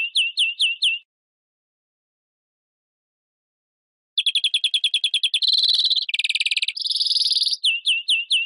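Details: A European greenfinch gives a few downslurred chirps, pauses for several seconds, then sings a fast twittering trill. Buzzy, wheezy rolls follow, and it closes with more falling chirps. The recording is clean.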